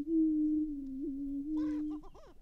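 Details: Greater prairie-chickens at their April lek in northwest Minnesota; a smooth low moaning boom sustained for two seconds, followed by a quick run of short stuttering cackles.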